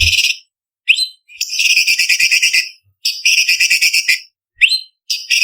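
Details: Blue-winged leafbird tembakan song used to train contest birds: long, loud, grating rattled trills lasting over a second each, broken by upswept whistles, with a faint low thump at the very start.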